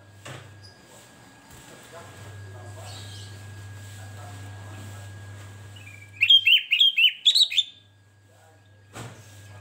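A sooty-headed bulbul gives one short, bubbly phrase of five or six quick, bright whistled notes that rise at the end, over a steady low hum.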